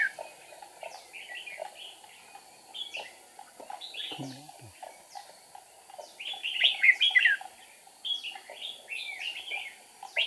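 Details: Red-whiskered bulbul serving as a trap decoy, 8 April 2019: scattered short warbled phrases, a brief low rustle partway through, then a loud rich burst of rapid slurred notes before quieter chirps resume.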